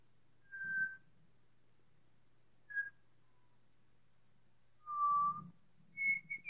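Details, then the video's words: Four Pied Butcherbirds singing in chorus, slowed by time-stretching: a few isolated pure whistled notes, steady or gently falling, spaced by pauses of one to two seconds, ending with higher clipped whistles; low hum underneath. "4 Pied Butcherbirds singing in choir"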